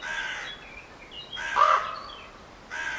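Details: Three rough, nasal crow caws roughly a second and a half apart, with faint high chirping from small birds between them.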